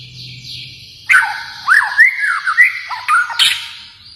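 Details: White-rumped shama from Kalimantan singing: after a second of low hum, a rich run of varied clear whistles, slurred upward and downward, with sharp chipped accents and a bright burst near the end.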